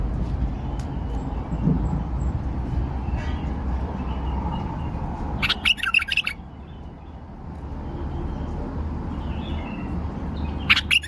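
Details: Caged male bulbul, a tame bird in Baghdad, Iraq, gives a loud half-second burst of rapid whistled and chattering notes after quieter faint phrases, with another burst at the end over constant low rumble.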